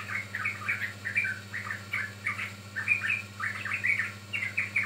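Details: Sooty-headed bulbul singing a training or lure song: short bubbly phrases of two to four chirping notes, repeated roughly every half second without pause, over a faint steady low hum.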